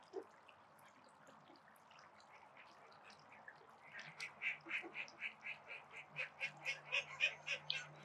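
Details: Domestic call ducks by a spray pool give a long, quickening string of harsh, evenly spaced quacks that builds in loudness over the last four seconds, above a low constant hum and faint background noise.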